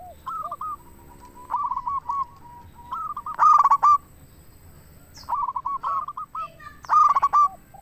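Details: Local zebra dove song for luring and prompting other doves to answer: phrases of quick rolling coos, each peaking in a harsh, overtone-rich burst, repeat roughly every three seconds over faint background coos.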